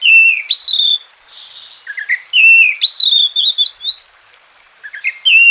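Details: Oriental magpie-robin song used as a tutor recording to get reluctant birds singing: clear whistled phrases with sharp upward slurs and sustained tones, separated by short pauses, plus a softer buzzy passage, in a quiet background.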